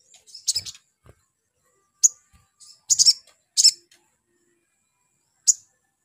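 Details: A spiderhunter, played as a lure to provoke spiderhunters into answering, gives sharp, high, scratchy chip notes singly or in short clusters, spaced irregularly a second or two apart, with faint low thumps in the background.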